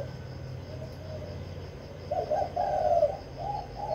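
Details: Spotted dove kept in Vĩnh Long, Vietnam, in kích bổi song. Very faint coos at first, then louder rough cooing notes in the second half, over a low steady hum.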